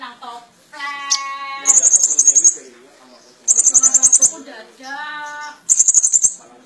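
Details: Three bursts of rapid, thin, high trilled notes from a Van Hasselt's sunbird singing actively with mimicry, alternating with lower, steady harmonic tones.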